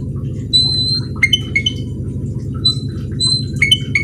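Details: Cucak keling in gacor teler full isian singing style, used as a lure to prompt other cucak keling to sing: sharp whistled notes and short slurred phrases over a steady low hum.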